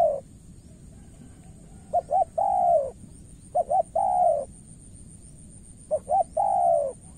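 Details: Mellow cooing by a spotted dove in Cà Mau, Vietnam, during a decoy session against a practised rival. Three phrases are separated by pauses, each two brief notes and a sustained, slightly descending coo.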